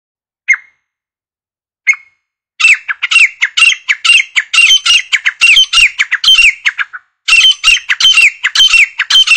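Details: Grey francolin, called grey partridge or grey teetar, giving its call for hunting: two short isolated notes, then fast loud series of harsh, ringing, repeated notes, nearly two per second, with a brief pause before the rapid series resumes.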